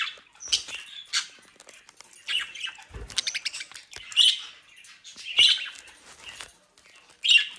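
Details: A budgerigar brood kept in South Holland, Netherlands, calling in irregular bursts: raspy squawks, thin chirps and warbling chatter, a loud sharp squawk at the end.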